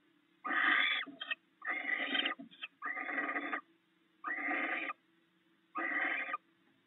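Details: At the nest, a barn owl pair shares rats the male delivered during the night; five broad, grating hisses, each roughly half a second, separated by quiet pauses, with faint low hum behind.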